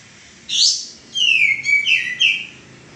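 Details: A loud, high burst from a male common iora in a cage, recorded for training cage birds. A long, slightly falling whistle follows, broken into several bright pulses.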